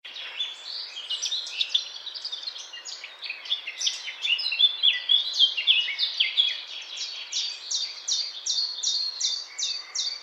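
Eurasian blackcap singing: a fast, scratchy warble that breaks into clear, rapidly repeated fluting notes, over light background noise.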